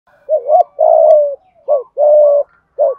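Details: Spotted dove giving a thúc gù coo in the thổ voice style, used to stir decoy birds: paired low hooting phrases, a short dipping note then a longer level coo, repeated about once a second, with a clean, quiet background.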